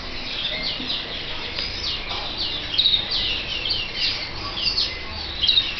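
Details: Red mosaic canary nestlings chirping almost continuously: rapid, high, thin notes in quick succession, growing busier toward the end, over a light hiss.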